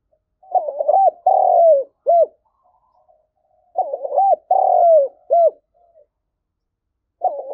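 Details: Decoy spotted dove in the 'thổ' voice style, cooing to attract wild doves for trapping. Two complete low hooting phrases about three and a half seconds apart, each a broken double note, a long falling coo and a brief hooked note, then a third starting.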